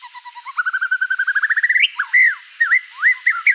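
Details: White-rumped shama in full, varied song: a rapid trill of short notes rising gradually in pitch, speeding up, then breaking into looping whistled phrases that swoop up and down, clear and loud.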